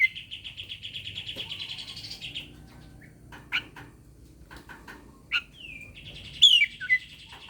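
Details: Oriental magpie-robin challenging a rival to fight, used as a lure to prompt reluctant birds to sing: a long buzzy, pulsing rattle for over two seconds, then scattered sharp chips and a bright whistled sweep with a rasping phrase.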